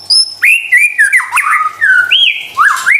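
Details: Brief white-rumped shama song used as a lure for stressed caged shamas: smooth sliding whistles, a downward slur and a rising final note, with a few buzzy accents.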